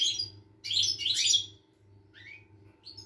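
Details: Song of the European goldfinch, 25 August 2021: a dense jangling twitter of high, liquid and buzzy notes lasting about a second, followed by two softer rising whistles, against a faint steady hum.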